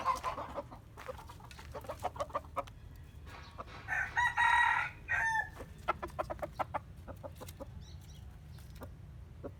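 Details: Chickens cluck in quick bursts through the morning, with a rooster's loud, harsh crow in the middle, held then falling, before the clucking resumes.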